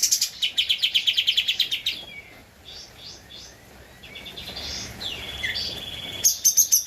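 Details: Javan white-eye singing vigorously, recorded as a master for training cage birds: a brisk high trill of rapid notes for about two seconds, then soft scattered calls and a short loud trill at the end.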